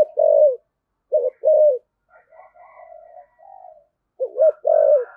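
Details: Decoy spotted dove giving continuous 'thổ'-voice coos: a long hoot, then a two-note phrase with a drawn-out falling ending, faint low murmurs, and another loud doubled coo with a long descending hoot.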